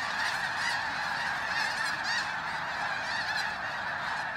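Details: Freezing pre-dawn at Bosque del Apache, San Antonio, New Mexico, as thousands of snow geese fly in to join a resting flock, phone recording; bright, reedy honks crowd together into a loud, continuous babble.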